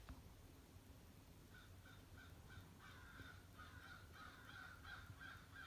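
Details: A huge flock of at least 60 crows gathers at a bird feeder in the morning, with many overlapping caws repeated in quick succession that build into a steady chorus, over a low rumbling background.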